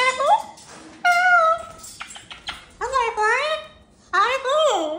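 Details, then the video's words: Indoor pet cockatoo saying hello and waving wings, giving a string of loud whooping greeting calls, each swooping up then down, about five phrases in five seconds, with room echo. "Woo Woo Woo!!! Silly Hellos and Wing Waves"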